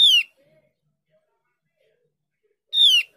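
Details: Javan grey-throated white-eye call used as a lure to prompt other birds to answer: two brief, high, buzzy notes slurring downward, spaced nearly three seconds apart, with silence between them.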